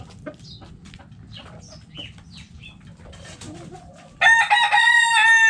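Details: Backyard coop with hens clucking softly and giving short chirps, then a rooster bursts into a loud, harmonic crow that holds on at the end.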